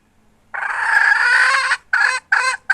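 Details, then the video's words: Hen recorded in 2021, giving one long, loud, harmonically rich nasal note of over a second, followed by three short, clipped notes. "Suab poj qaib"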